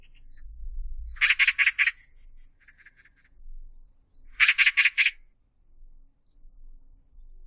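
A magpie gives two harsh, rattling bursts of four or five rapid grating notes each, about three seconds apart, against a quiet low rumble.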